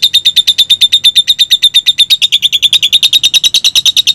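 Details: Lovebird konslet song intended to provoke others to sing: rapid shrill chirps pulsing steadily, a bright whistled tone under each, growing denser and buzzier toward the end, faint low hum behind.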